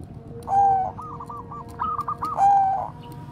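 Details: Bangkok zebra dove serving as a lure for other doves: a clear coo, then a quick series of rolling stuttered notes, then another coo, with low hum behind.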